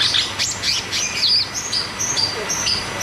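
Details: High, thin whistled notes and short buzzy chirps follow one another in quick succession from a caged cucak cungkok, a song used as a lure to make quiet caged birds sing.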